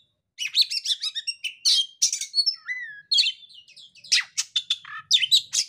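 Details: Oriental magpie-robin song, played to provoke a silent or stressed bird into singing: nearly six seconds of varied, fast phrases mixing sweet slurred whistles, buzzy rattles and sharp chips with barely any gaps.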